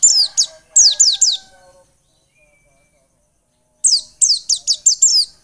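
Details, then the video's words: White-eye song played as a lure to get other birds singing: two bursts of rapid, very high, sharply descending whistled notes, about five per burst, separated by a two-second silence, with a faint low steady tone under the first burst. "Pancingan pleci biar gacor dan ngotot."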